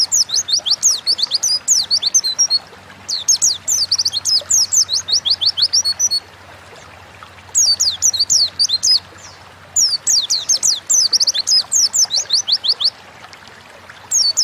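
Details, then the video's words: Oriental white-eye (pleci) in energetic 'gacor' song for training kept songbirds; long, tumbling sequences of very high, fast, scratchy twitters, broken by short silent gaps, then resuming with equal intensity. "Burung pleci gacor ngalas pancingan bahan agar cepat bunyi"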